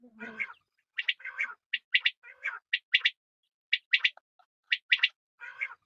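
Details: Quail calls mixing harsh, broad, grating notes with bright clipped high notes in quick pairs and triplets, repeating roughly every second; a brief low rough sound opens the sequence.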